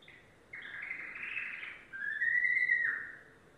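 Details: Song of a yellow domestic canary: a dense rolling trill starts after half a second, then shifts into a bright, steady whistled tour before fading.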